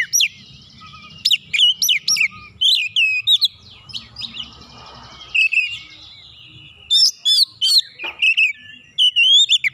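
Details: White-rumped shama in full song to provoke a rival: fast series of high sweeping whistles and sharp chips, a pause with soft noise, then a second burst of loud slurred notes and twitters.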